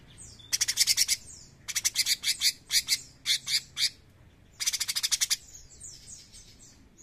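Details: Bulbul, locally called cucak cungkok, singing vigorously: bursts of rapid, dry, rattling high notes, about eight pulses per burst, separated by short gaps with soft thin slurred whistles in between.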